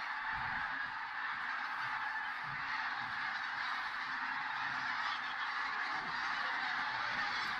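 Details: Many common cranes call together at a golden sunrise over the wet moorland of the Tister Bauernmoor, Germany; their overlapping trumpeting forms a steady, dense roar through the whole stretch, with little else audible.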